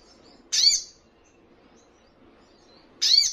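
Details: Two loud, abrupt, high chip notes roughly two and a half seconds apart with faint soft twitters between, from a Ruby-cheeked sunbird recording for prompting caged birds to answer.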